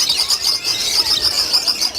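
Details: Lovebirds at a breeding farm holding 800 breeding pairs: a dense, unbroken chorus of high, shrill chirps and squeaks from many birds at once, blending into a constant piercing chatter.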